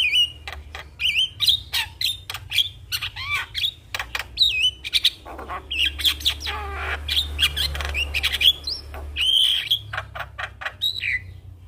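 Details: Javan myna singing hard, its song rich in varied fill-in phrases said to get other mynas singing: dense mix of whistled slurs and rasping chatter, constantly changing, over a low rumbling hum.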